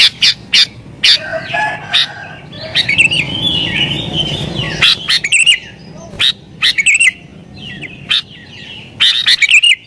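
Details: Sooty-headed bulbul in agitated, rival-pressing song, used to lure wild bulbuls and set other bulbuls answering; bright whistled warbling phrases in bursts, broken by sharp clicks and knocks, with a low rumbling background midway.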